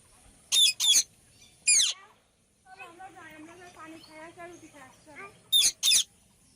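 A ringneck parrot gives five loud, harsh screeches, in pairs and singly, around a soft stretch of speech-like chatter with rising and falling tones.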